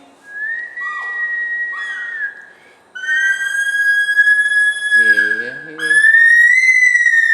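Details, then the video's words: Bush stone-curlew at Gold Coast, Australia, coaxed by people at a house, giving a sequence of long, clear whistled wails, with a brief human voice partway through. "Cry of the Bush Stone Curlew"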